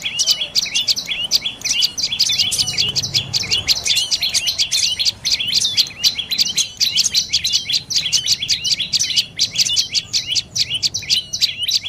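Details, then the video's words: Twelve seconds of dense, fast chattering from a dark-necked tailorbird in northern Thailand, high clipped notes tumbling in near-continuous rhythm, a trilled 'chiri-id' style run, with faint low rumble beneath. "เสียงนกกระจิบคอดำDark necked Tailorbird Sounds"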